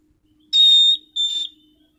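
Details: Caged orange-headed thrush (anis cendana) in full song, a trained songbird: two loud, steady high whistles near the top of its range, the first long and even, the second shorter, separated by a brief pause; quiet room.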